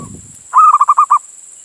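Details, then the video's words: Indonesian local male zebra dove calling for a female, played to attract other doves or make them sing: one short burst of about seven rapid, throaty coos at a steady pitch, with a faint high hiss behind. "Suara Perkutut Jantan Memanggil Betina"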